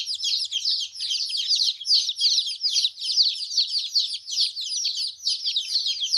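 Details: Colourful chicks peeping together: a dense, continuous chorus of high, thin chirps overlapping without pause, many birds calling at once.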